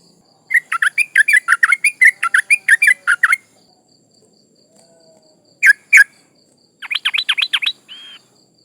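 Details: Yellow-vented bulbul female in breeding condition calling males, used as a lure for rivals: an extended bout of rapid chattering notes, then two sharp notes and a quick trill closing with a short buzzy tone.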